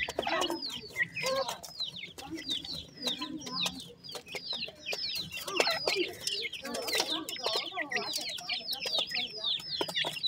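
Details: Dakhni teetar chicks, a kind of francolin, peep in a steady crowded chorus of sharp, high, hooked chirps with brief louder bursts.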